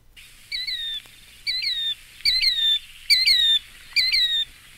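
A Killdeer gives five shrill, high, slightly falling calls, roughly one per second, each with a clear two-part inflection over a quiet background.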